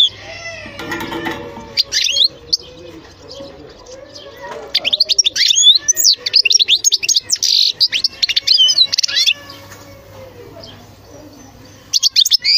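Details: European goldfinch song in bursts: brief chirps early on, then a lively stretch of rapid high twitters, slurred notes and trills through the middle, falling quiet before a short final flurry; faint lower tonal sounds in the background.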